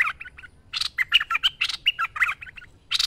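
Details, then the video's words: Bulbul called merbah lekir, singing continuously for a training master: a quick run of bubbling, chattering notes with sharp bright accents and a final raspy burst. "Merbah Lekir Gacor Masteran Terbaik"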